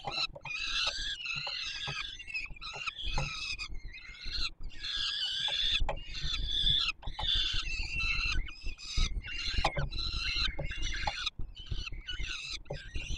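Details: Feeding time for peregrine falcon chicks at the Warsaw Palace of Culture and Science nest, 7 July 2022. Continuous rasping begging screams rise and fall in rapid, ragged pulses for over thirteen seconds, over rumbling background noise.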